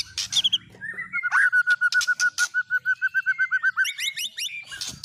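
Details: White-rumped shama song carrying borrowed fill-ins of cililin, canary and lovebird: a brief low burr, then a long even trill of about twenty clipped notes, ending in rising chirps.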